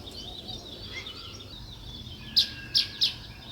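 A sparrow gives three loud, sharp chirps in quick succession near the end, over a soft background chatter of high twittering birds.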